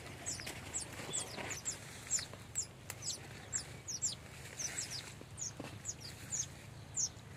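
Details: Male and female Baya weavers (Ploceus philippinus) at a nesting colony give a steady chatter of thin, very high chirps, several each second, over a low rumbling background.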